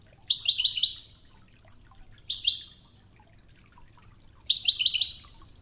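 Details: Ouidane-style goldfinch song for training, mixed with river water: three short, high, rattling trill phrases, each a quick run of tinkling notes, separated by pauses of a second or two over a light watery hiss.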